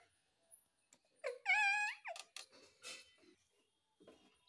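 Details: A pet rose-ringed parakeet mimicking speech ("Mummy Mummy") gives a strained, nasal, rising-then-level wail with rich harmonics, followed by a few short scratchy syllables in a quiet room.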